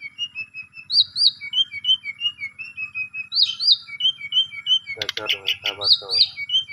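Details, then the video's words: Asian pied starling lure for a bird gone silent: repeated short whistled notes and paired upslurred chirps, broken by a burst of rough grating rattles, over a steady low hum. "Jalak Suren Pundung, Macet Langsung Emosi Gacor Dengan Pancingan Jalak Suren Ini"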